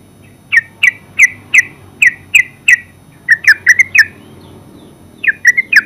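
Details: Ngeropel song of the terucuk, or yellow-vented bulbul: a steady run of single bright chirps about three per second, then a quicker cluster of notes, a pause, and a final burst.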